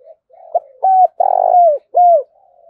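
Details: Cooing of a spotted dove decoy bird, used to lure wild doves: a soft short note, then clipped coos, a long rolling purr-like coo sliding downward, and a final falling coo, all clear and loud.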